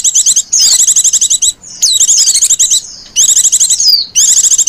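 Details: Female white-eye luring call: long runs of rapid, evenly spaced high twittering chirps, interrupted by drawn-out falling whistles, in four dense bursts with short gaps.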